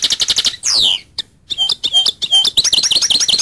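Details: Goldfinch song of quick repeated high notes, a sliding descending whistle, brief gap, then a string of rising, swinging twitters ending in rapid chatter.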